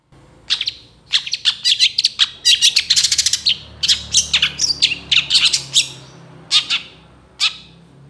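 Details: Long-tailed shrike, a caged bird kept for training other songbirds, singing a loud, varied medley: rapid bursts of high, sharp chattering and squeaky notes in dense clusters, with brief pauses and a few isolated chips toward the end.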